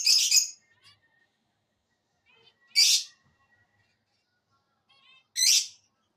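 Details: Parrot shouting: harsh, broad, grating screeches repeat about every two and a half seconds. Soft chirpy notes and a faint thin whistle come in between.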